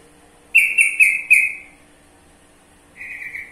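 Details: Trucukan, the sooty-headed bulbul: a lively run of four quick, loud whistled notes that trail into a drawn-out tail, then after a pause a softer, wavering whistle, with faint background hum.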